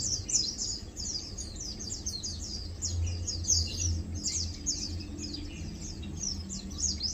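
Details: Several Lowland white-eyes chilling and feeding produce a lively chorus of rapid, high, downslurred chirps and twitters, almost unbroken, above a low rumbling background.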